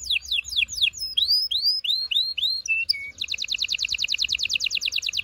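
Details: Strong canary song to excite a female for mating: repeated downslurred notes, a run of arched whistles and short flat tones, then a fast even trill of high repeated notes.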